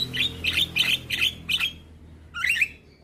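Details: Young black-winged starling singing, offered as a prompt for silent starlings: five evenly spaced harsh, buzzy chattering bursts about every third of a second, a pause, then a final rising scratchy phrase, over a faint hum.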